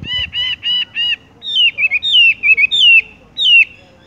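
Horsfield's bush lark sings four quick, even, buzzy notes, then a run of high, slurred, falling whistles broken by short trills. No other sounds are heard.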